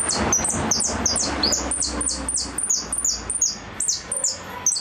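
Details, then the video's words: Goldfinch in repique song: an unbroken, fast series of shrill, downward-slurred notes, roughly three per second, varying slightly in pitch throughout. "Blanco de repique"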